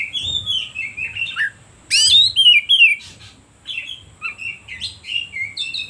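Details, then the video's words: Oriental magpie-robin song intended as a lure to agitate other birds. Descending whistles open the clip, then comes a loud burst of rich swooping notes. After a brief lull, scattered chirps and short whistles follow. "Suara Pancingan Kacer Paling Ampuh || Bikin Burung lain Makin emosi"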